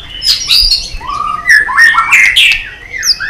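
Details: Excited male-style singing of a white-rumped shama, tail flicking and fired up: a varied run of clear whistled phrases, rising and falling slurs and sharp higher notes, delivered loud and close with no other clear sounds.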